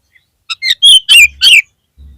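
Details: Oriental magpie-robin lure song for reviving a kept bird that has lost heart: a few soft rising notes, then three loud, rich, slurred whistles with buzzy edges in quick succession.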